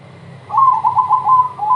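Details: Crossing-style zebra dove song, played to draw other doves into song: a burst of rapid, slightly warbling coos, five or six notes in a row, against a faint low background hum.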